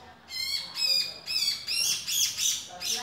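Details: Male grey-cheeked bulbul calling: a handful of rasping, nasal notes with bright overtones, the later ones hoarser and more smeared, about two per second, with faint soft whistles in the background.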